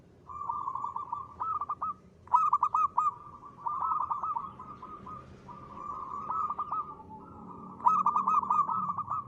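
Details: A lure recording of a singing local zebra dove in the ngristal style. Repeated phrases of bubbling trills broken by bursts of loud, sharply cut staccato notes continue for over nine seconds.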